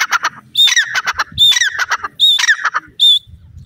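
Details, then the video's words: Francolin, called teetar or dakhni teetar, giving loud, harsh, grating phrases, each opening with a sharp high whistle-like note, repeated roughly once a second in a rhythmic series. "Teetar Awaz,Teetar pakshi, titur ki Awaz,dakhni teetar ki boli"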